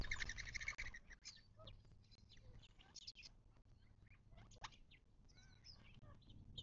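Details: Desert birds at a watering hole in the western Mojave Desert of southern California, near Joshua Tree National Park, on 19 March 2024: many overlapping high chirps and short twittering notes over a steady low hum.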